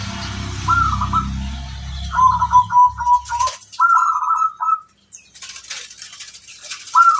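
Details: Zebra dove of local stock, recorded as a tutor song: after a low rumbling hum fades, quick stuttering coos run into a rolling trilled phrase, followed by a brief pause and another coo at the end.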